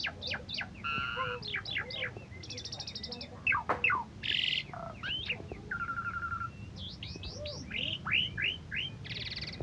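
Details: A champion Asian pied starling, once a first-place winner at an Independence Day (17 August) contest, sings a fast, varied medley of rising whistles, harsh buzzy bursts and chattering notes, with a low background hum.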